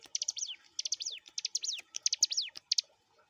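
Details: {'text': 'Prinia known as ciblek gunung, a training master recording: bright high chips then a falling slurred note, phrase after phrase, ending with a few isolated chips.'}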